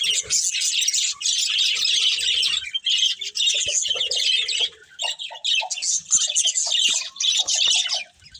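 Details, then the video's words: Budgerigars, a breeding pair, keep up a busy, gritty, high chatter in waves, broken by short pauses and a few lower chirps. "Cute Budgies Chirping Sounds"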